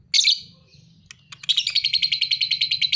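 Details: Pale-headed lovebird aged two and a half months, a fighter bird: one sharp screech followed by a long fast run of evenly repeated buzzy chattering notes.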